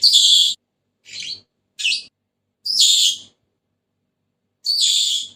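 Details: Senegal parrot uttering five separate harsh squawks, some long and grating and others short and clipped, spaced unevenly over several seconds against silence.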